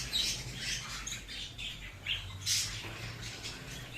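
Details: Budgerigars kept in a colony breeding setup, many birds calling together: overlapping high chirps, squawks and warbling chatter in frequent short bursts, with a steady low hum underneath.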